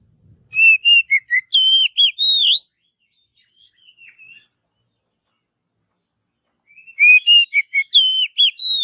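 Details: Wild Oriental magpie-robin in forest, singing to spur others of its kind into song: a rapid string of clear whistled notes stepping up and down, a pause with soft twitters, then the phrase repeats.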